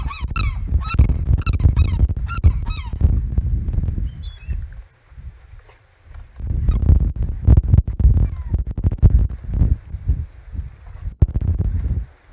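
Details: Great black-backed gull at the Audubon Boathouse nest on 2 August 2020, giving a burst of sharp, nasal calls about twice a second for three seconds, then wind buffeting with a few faint notes.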